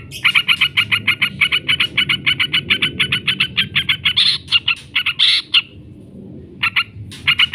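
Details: Yellow-vented bulbul lure recording for training birds, a long chattering call: a fast, harsh run of short, evenly repeated notes that breaks off briefly, then resumes.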